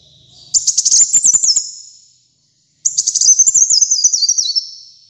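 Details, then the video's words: Kolibri muncang sunbird in lively song for masteran: two bright, very high twittering phrases with zigzagging notes that descend gradually, a clear pause between them. "Kolibri Muncang Gacor Dor untuk Masteran dan Pikat Ampuh"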